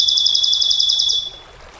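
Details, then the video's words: Canary 'nembak panjang' song: one fast high rattling trill lasting just over a second, then quiet. "Suara KENARI NEMBAK PANJANG, Untuk Masteran Dan Pancingan KENARI SANG JUARA, Canary Sound"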